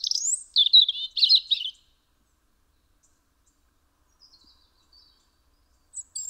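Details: European robin (Erithacus rubecula) at a house window in Eibar, Gipuzkoa, December 2019, sings a quick burst of high, thin, tumbling warbled notes, then a quiet pause with faint fragments and a short high phrase to finish.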